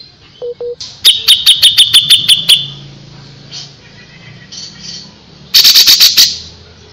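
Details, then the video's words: Singing Grey-cheeked Bulbul on a tutor recording: two short low tones, then a rapid run of crisp high notes, quieter chatter, and a final harsh burst of fast notes. "suara burung cucak jenggot // cucak jenggot gacor masteran burung cucak jenggot"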